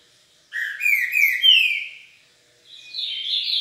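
Green-winged saltator giving a rich, whistled phrase that slides down, then a second brighter phrase after a short pause; no other sounds.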